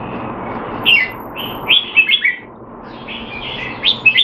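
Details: In Singapore, a caged Red-whiskered bulbul, said to be off form, trains on 25 December 2020: two groups of rich, slurred whistles, rising then dropping, split by a brief quiet gap with low hum beneath.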